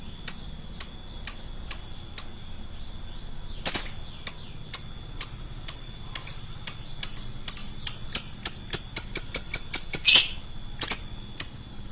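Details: Shrill lovebird lure sound: short, sharp, high chirps repeated about twice a second. A couple of louder, harsher squawks break in, and the chirps quicken toward the end.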